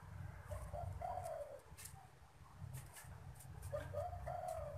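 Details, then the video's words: A caged pet spotted dove cooing when strangers come near. Soft, low, mellow coos are heard in two short phrases, over a steady low rumble with faint clicks. "chim canh cu gáy gù khi người lạ tới"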